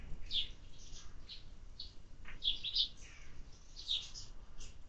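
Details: Summer-fed sparrows chirping in a loose, overlapping jumble of short high notes and a few softer twitters, with a faint swishing sound near the middle.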